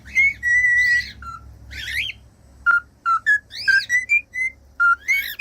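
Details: Pet cockatiel singing, a song used to train young or silent cockatiels: long level whistles, short rising whistles and buzzy chevron chirps in quick irregular succession, faint low hum beneath.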